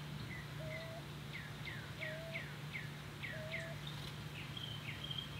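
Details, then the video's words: Mourning Dove nestlings beg as the mother regurgitates food to them, giving quick, high, downslurred squeaks broken by a soft, level low whistle about every one and a half seconds, over a steady low hum. "Mourning Dove babies breakfast"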